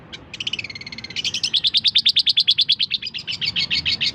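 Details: Long-tailed shrike song meant for teaching other songbirds: a brief buzzy stutter, then a fast rattling run of sharp chirps, roughly three to four per second, continuing to the end, with a low background hum.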